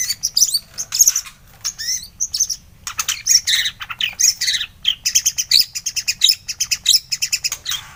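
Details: White-rumped shama (murai batu) in full morning song: dense, loud, high-pitched phrases of rapid trills, chattering and slurred whistles with barely a pause, over a faint low hum.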